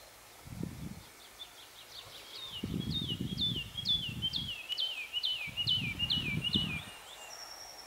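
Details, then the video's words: Wood lark singing in Yorkshire, where it is uncommon but increasing: a run of about thirteen liquid, down-slurred whistled notes, repeated evenly and growing louder, with bursts of low wind rumble underneath. "Wood Lark singing in Yorkshire"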